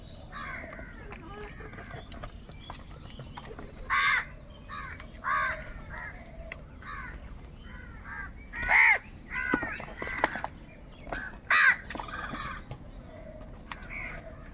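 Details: Several angry crows fighting for food, calling in a loose, irregular chorus: scattered rasping caws near and far, louder single caws standing out every few seconds, over a constant high-pitched hiss.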